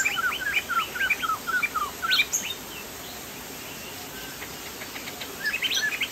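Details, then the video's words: Crested laughingthrush from Sumatra in lively song: a rapid string of ringing, downslurred whistles about two per second, a short silence, then more varied rising notes; steady hiss throughout. "POKSAY JAMBUL GACOR"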